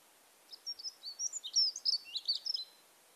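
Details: Dunnock male singing a thin, scratchy, meandering song that stays mid-range, wobbling slightly up and down in pitch; a rapid jumble of high squeaky notes lasting about two seconds against a quiet background.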